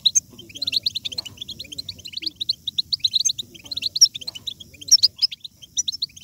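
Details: European goldfinch twittering song to spur goldfinches into strong singing: rapid, jumbled, bright chirps in long runs with a few louder ringing notes.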